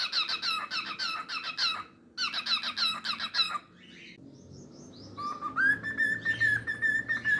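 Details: Singing pet cockatiel indoors: fast runs of repeated squeaky chirps, a short pause, more chirp bursts, a faint warbling passage, then a long steady whistled note near constant pitch with fluttering texture.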